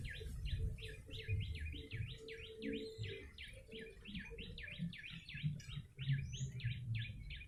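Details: Used as a lure, a yellow-bellied prinia pours out a long, steady string of sharp zigzag chirps, several each second, with rumbling low noise and a faint tonal hum beneath.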